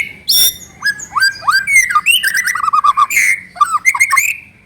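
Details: A white-rumped shama (murai batu) sings a lure song meant to prompt other shamas to sing: rich, varied whistles, slurred rising and falling notes, quick chattering runs and sharp high phrases in rapid succession.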